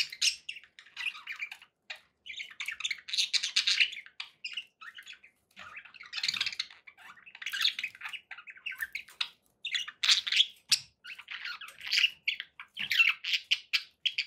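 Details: Captive budgerigars chattering steadily, a continuous flow of scratchy warbled phrases, squawks and quick tweets with only brief pauses.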